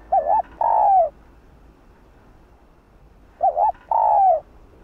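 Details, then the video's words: Female spotted dove calling to urge a male: two mellow cooing phrases about three seconds apart, each a quick wavering double note followed by a longer, drawn-out coo that slurs downward; quiet background otherwise. "Chim cu gáy thúc trống,gọi trống đưa trống lên đỉnh | cu mái gáy"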